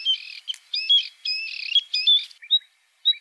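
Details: A White-spotted bluethroat, Luscinia svecica cyanecula, delivers a dense scratchy medley of buzzy and twangy notes, ending in two short separate whistles after a brief pause.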